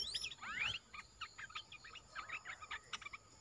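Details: Caged olive-winged bulbul in strong song: opening with bright swooping whistled slurs, then a string of short scratchy chattering notes delivered in quick irregular bursts.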